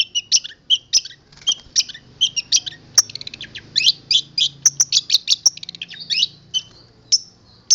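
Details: Long-tailed shrike from Boja, a local bird whose song is filled with strange borrowed sounds. It delivers high, clipped chirps and short chattering bursts in an irregular, jumbled sequence, with a faint low hum beneath.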